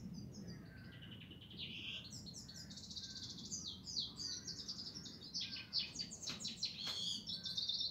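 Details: European goldfinch singing a fast run of high, tinkling twitters and buzzy notes, quieter against a steady low background hum.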